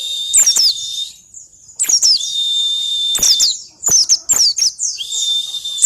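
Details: Wild-style 'ngalas' white-eye song with 'isian' fill-ins, meant to draw other birds into singing quickly: bursts of squeaky, downward-slurred chirps, each followed by a long, steady, very high whistled tone, repeated about every second and a half.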